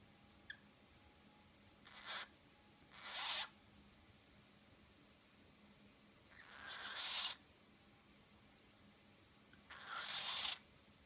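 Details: A male cockatiel gives breathy, hissing bursts that swell in loudness, copying snoring, as if saying a female is sleeping while she sleeps in the cage.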